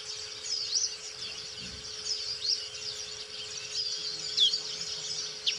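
Black-capped white-eye singing a continuous, high, thin run of twittering chirps and quick slurred whistles, with a faint steady electrical hum underneath.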